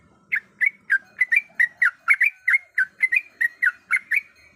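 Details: A breeding-condition female sooty-headed bulbul summons a male with a brisk sequence of loud, slurred chirps. There are about four notes per second, some paired into quick doublets, in an otherwise quiet setting.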